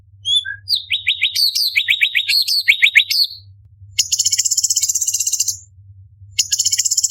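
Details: Cucak cungkok, or orange-bellied leafbird, in a tutor recording for competition birds. Its lively runs of quick descending chirps give way to long dense buzzy trills, each lasting about a second and a half.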